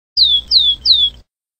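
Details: Rufous-collared sparrow singing: three clear, high whistled notes, each sliding downward, evenly spaced about a third of a second apart, then silence; low hum underneath.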